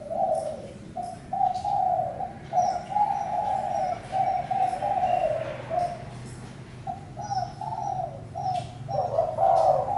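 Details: A spotted dove gives a long run of soft, low coos. The notes are broken into uneven chunks with brief gaps, and the last notes grow louder. Faint distant high chirps are heard.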